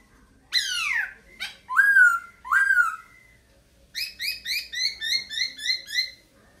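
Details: A laughingthrush sings strong descending whistled notes, then switches to a fast run of about nine short bright chirps repeated in an even rhythm, the whole delivered indoors with little background.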